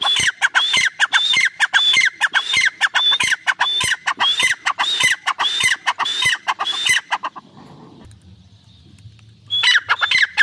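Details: Francolin, or irani teetar, delivering a loud, rhythmic stream of scratchy notes with short whistled tones for seven seconds, then a quiet gap with low humming before calling resumes.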